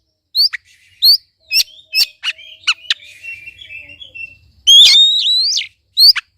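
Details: Kacer, or Oriental magpie-robin, song for provoking a quiet bird: a series of sharp downslurred whistles about every half second, soft warbling, then a loud rich phrase.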